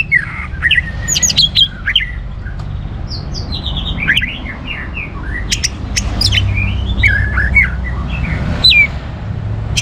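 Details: Energetic orange-headed thrush song meant to stimulate other birds to sing: a rambling run of short whistled notes, chirps and slurs, loosely spaced, over a low background rumble.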